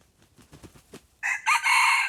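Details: Red junglefowl drawn in by a decoy bird: about six soft, evenly spaced low clucks, then a sudden loud, hoarse crow of two or three strained, buzzy syllables held to the end.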